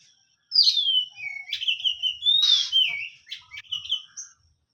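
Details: Oriental magpie-robin singing a continuous phrase of descending whistles mixed with rasping buzzes, fading out near the end.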